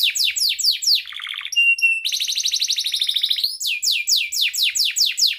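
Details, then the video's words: Atlantic canary in full song, used to stir young or stalled canaries into singing: descending chirp series, a low wavering trill, pure sustained whistles, a long buzzy roll, then more rhythmic falling chirps. "Kenari gacor NGEREK Cuit cuit EMOSI"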